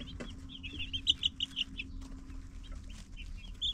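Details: Baby chicks chirping: a quick run of bright, high peeps in the first half, then sparser chirps, with a low steady hum underneath.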